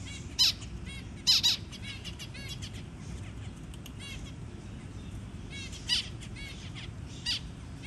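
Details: Zebra finch feeding a newly hatched tiny baby; sharp high nasal calls in loud pairs and singles, separated by pauses filled with faint rapid chirping.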